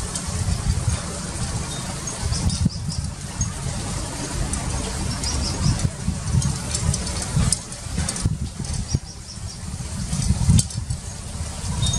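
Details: Steady low rumbling, like wind or handling noise, with occasional sharp clicks and no clear animal calls.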